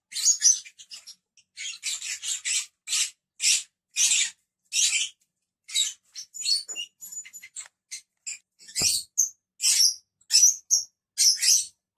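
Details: Lovebirds giving a busy run of shrill, rasping chirps and squawks, repeated in fast irregular bursts, with one sharp click near the end.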